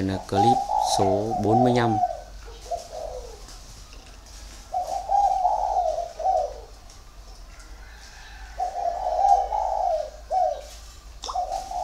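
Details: One-and-a-half-year-old male spotted dove from a Ba Vì, Vietnam bird garden, competition cooing: a man speaks briefly at the start, then rounded, low coo phrases repeat in several bursts separated by brief silences.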